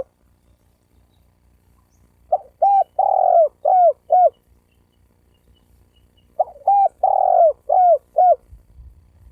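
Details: Cooing spotted dove meant to provoke rival males and females into fighting. Two phrases about four seconds apart, each short hooting notes framing a sustained, slightly descending hoarse coo with two clipped coos after it.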